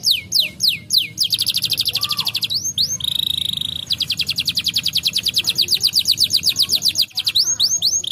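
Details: Canary song from brown canaries, played to stimulate lazy canaries: descending whistled sweeps, a held steady tone, then a long rapid rattling trill ending in more sweeping notes.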